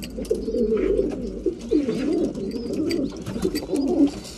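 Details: Breeding pigeons being fed: a continuous chorus of low throaty coos from several birds, mixed with tapping and rustling.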